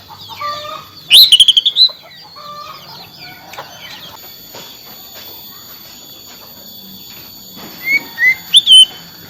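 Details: Song of an Oriental magpie-robin (kacer) meant to restart a silent bird: a burst of five quick piercing notes early on, a long quieter stretch of soft chatter, then rising whistles and a few sharp notes near the end.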